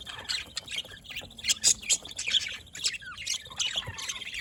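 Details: A flock of budgies keeps up rapid, scratchy chirps and short squawks, high and overlapping, with brief whistled slides between bursts.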